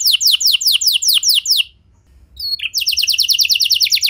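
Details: Canary song used as a lure to prompt other canaries to sing: a run of bright descending whistled sweeps repeated rapidly, a short pause, then a fast rattling trill of high notes.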